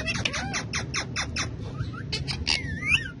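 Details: Male ringneck parakeet kept as a talking pet with other parrots; a steady string of raspy, word-like bursts about two per second, then looping whistled inflections near the end, low room rumble underneath.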